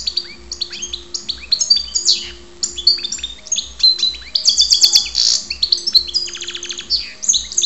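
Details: Goldfinch (karderina) song from Ptolemaida, Greece: a rapid, rambling stream of high twittering notes, sweeping slurs and rattling trills, briefly pausing mid-phrase before resuming, with a faint low hum underneath.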